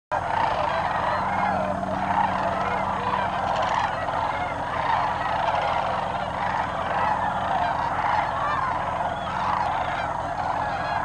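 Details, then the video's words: Large wintering flock of sandhill cranes at Bernardo Waterfowl Management Area, New Mexico, in 2008: a dense, continuous chorus of rolling, trumpeting calls from many birds overlapping without pause, with a steady low rumble beneath. "Sandhill cranes, Bernardo, New Mexico 2008"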